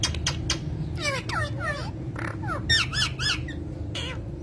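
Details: Parrot, described as a cute talking parrot of ringneck type, producing a run of squawky, chattering calls with fast up-and-down warbled notes, indoors over a steady low hum and background noise.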